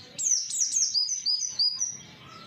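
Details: Oriental white-eye lure for provoking replies from other white-eyes; a rapid burst of very high, stepped whistled notes sliding downward, ending in a fading thin trill.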